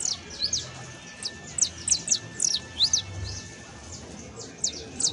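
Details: Saffron finch, a canario criollo with professional song, producing bright high downward-sweeping chirps in clusters, a pause near the middle, then more scattered chirps; faint low hum behind.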